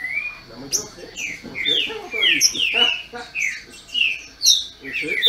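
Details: Trinca-ferro birds held by a Brazilian breeder, singing in rivalry: repeated swooping whistled phrases, each a few tenths of a second, with a faint human voice throughout.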